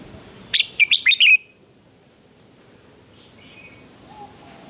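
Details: Red-whiskered bulbul singing in a morning contest: a brief rush of five rapid warbled notes ending in a downward slur, then near silence with faint distant chirps.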